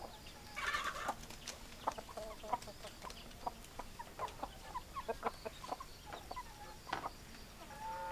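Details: Flock of hens and roosters, a mix of short, dry clucks scattered throughout, with a louder, harsher squawk near the start and a few higher squeals later.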